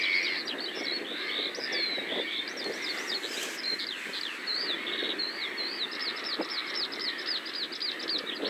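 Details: Common snipe calling: a rapid series of wavering high notes, speeding into an even rhythmic run of about five per second in the second half, over a dense marsh chorus of other birds and a steady low background hum.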